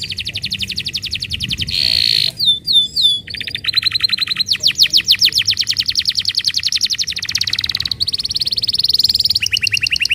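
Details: Canary singing, used as a lure for non-singing canaries: long sequences of fast, buzzy trills shifting in pitch and speed, with a brief burst of whistled slurs between rolls.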